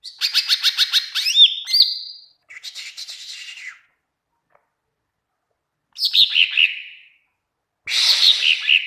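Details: Greater green leafbird used to teach song to other birds, delivering rapid trains of sharp chips running into whistled swoops and slurred trills, in separate bursts with silent gaps between them.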